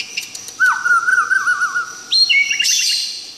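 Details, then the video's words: White-rumped shama (murai batu) recorded live, singing a rich, varied whistled song: a long wavering mid-pitched whistle, then higher sweeping notes and a quick run of bright chirps. "Suara Burung murai asli, yang di rekam langsung."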